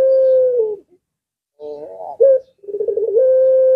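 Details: Puter pelung collared dove, whose voice is said to make other birds of many kinds answer, giving a long level coo that opens the clip. After a pause come rougher throaty notes, then another drawn-out steady coo.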